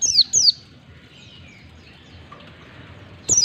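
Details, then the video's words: White-eye (pleci) sound used to coax caged birds into ngalas song: two sharp, high descending chirps close together, a long quiet gap, then another chirp at the end. "Pancingan pleci agar cepat ngalas buka paruh"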